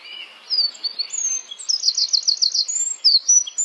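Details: Flowerpecker, known locally as small cayenne pepper bird, giving very high, thin whistled notes that lead into a quick trill of about seven clipped chirps, followed by further high sliding whistles.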